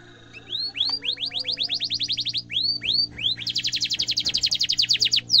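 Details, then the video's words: Singing canary, a recording meant for tutoring young canaries, delivering quick series of rising whistled sweeps in bursts, pausing briefly, then a long rapid high rolling trill of repeated notes; steady low electrical hum throughout. "kenari gacor cuit cuit ngerol tajam suara kesukaan semua kenari efektif buat masteran kenari muda"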